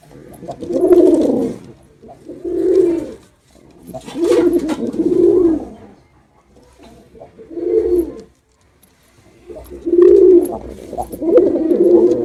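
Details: Performing male pigeon giving a run of warbling, gurgling coos in close bursts, some phrases doubled, low-pitched and throaty, with brief silences between groups.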